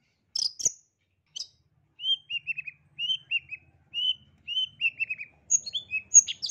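A long-tailed shrike sings in quick runs of three to five short, falling whistled notes, repeated about once a second. Sharp high chips open and close the phrase.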